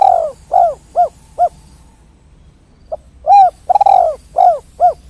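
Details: Spotted dove giving the lively 'kuk 3' call for luring other doves: a long falling coo and three short coos, a silent gap, then a repeat of the phrase, loud and close, over a low hum.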